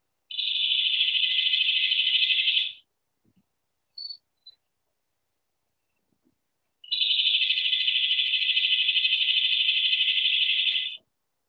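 Pacific Wren: two long, high, fast tumbling runs of tinkling notes, one about two seconds and one about four, with a few faint clicks between.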